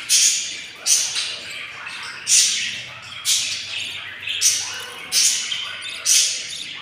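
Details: Four albino lovebird chicks, hungry at day 15, produce a series of loud, harsh, hissing begging squawks, about one per second, each bursting then trailing off.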